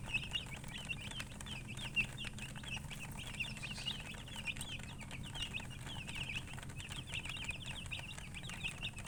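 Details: Colour chickens chirping together, a steady stream of high, squeaky peeps with little rising and falling inflections, almost unbroken, above a persistent deep hum.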